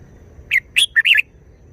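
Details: Wild-style song (phleng pa) from a Red-whiskered bulbul, a single brisk phrase of four lively, chirping and slurred notes lasting under a second.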